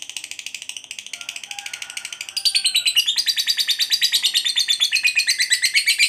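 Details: Fighter lovebird giving its long ngekek song, used as a lure to make quiet lovebirds answer: a fast, unbroken stuttering chatter of high notes, about three per second, growing louder and shriller halfway through.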